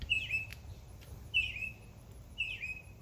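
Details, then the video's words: Single clear chirps from a backyard bird in summer, three sharp descending notes spaced about a second apart over a quiet low background rumble. "Birds Chirping Sound"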